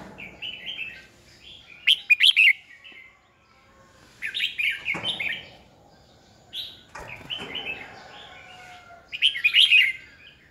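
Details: Red-whiskered bulbul decoy bird performing competitive song for training birds: four separate bursts of lively warbled, chirpy notes spaced a couple of seconds apart, with quiet gaps between.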